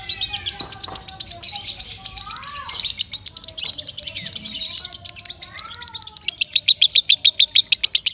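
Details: Caged-style lovebird song used to train other birds: softer mixed twittering and a few lower whistles at first, then from the middle a loud, fast series of sharp high chirps.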